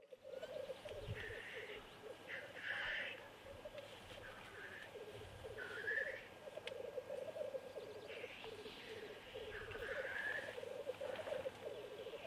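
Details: Black grouse males courting females at a lek, with mating and fights, keep up a low, rolling, dove-like bubbling, broken every couple of seconds by harsh, hissing sneezes.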